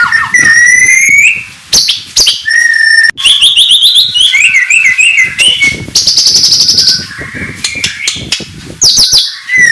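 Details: Oriental magpie-robin in morning song meant to rile opponents: high rising whistles, buzzy trilled passages and sharp clicks in a fast, varied stream.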